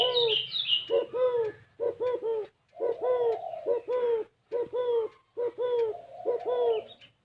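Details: Unusual 'gáy gù kích bổi' cooing of a spotted dove: bursts of two to four deep, bent coo notes, about one burst a second, with brief high bird chirps at the start and a steady low hum.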